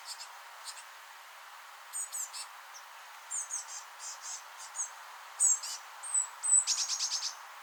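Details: Recently fledged blue tit chicks in a rowan, chirping as adults feed them: high, thin notes in scattered pairs and triplets, ending in a rapid run of about six sharp chirps, over faint background hiss.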